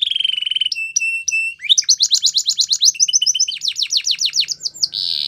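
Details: Canary training song with a pulsing low trill, three clipped whistled notes, then a long run of rapid descending sweeps getting faster, closing on a steady rolling buzz.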